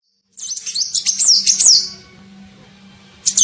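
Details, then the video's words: Sunbird, known locally as kolibri ninja, giving a lure call used to attract birds: a burst of high, thin, squeaky chirps and twittering notes over about one and a half seconds, then near silence before a brief final chirp. "SUARA PIKAT KOLIBRI NINJA"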